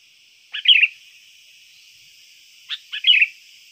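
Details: Two lively, gurgling phrases from a sooty-headed bulbul, a trained lure singer, each opening with a sharp chip and ending in a quick, falling warble, over a steady high electronic hum.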